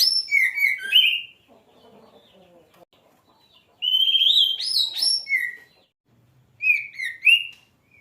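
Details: Oriental magpie-robin (kacer) delivering several loud whistled phrases of slurred, rising and dipping notes, broken by a stretch of soft rustling and clicking.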